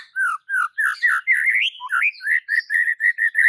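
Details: White-rumped shama (murai batu) training song: mellow whistled notes, then a fast series of short, evenly repeated chirps at one pitch, steady and loud throughout.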